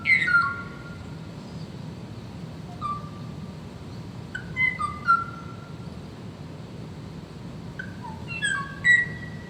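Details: The last surviving male Kauai ʻōʻō, recorded in the 1970s in the Alakai Swamp, sings clear flute-like whistles, some held and some falling, in short bursts between long pauses over a faint hum. He is answering playback, apparently seeking a female duet partner.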